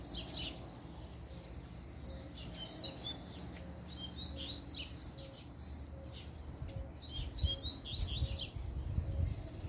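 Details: Double-collared seedeater giving a puxada-style song: rapid, high, thin chirps and twittering notes in quick succession, over a steady low rumble and a soft ticking tone repeated about twice a second.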